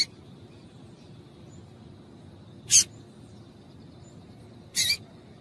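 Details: Female double-collared seedeater calling to excite a male into song: two short, sharp, high chip notes about two seconds apart over a soft low background hum.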